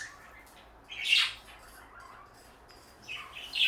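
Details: Pet parakeets, one blue and one light yellow, give a single raspy squawk, then fall quiet for nearly two seconds before a few softer scratchy chirps close the passage.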